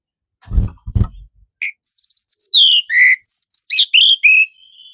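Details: Sunda robin song: after two low thumps, a rapid run of clear high whistled notes, some long steady tones and others quick down-slurred chirps, delivered in close succession over about three seconds.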